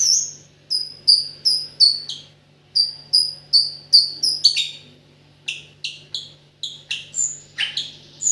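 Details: White-rumped shama singing with 'AK47' filler: a series of clear, high whistled notes repeated steadily, then a louder stretch of varied whistles, some swooping downward, separated by short pauses.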